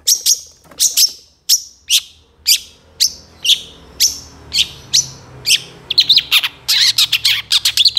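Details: Long-tailed shrike singing, offered as master material for songbirds: a series of sharp, high, descending notes about every half second, then a fast, dense burst of mixed chatter.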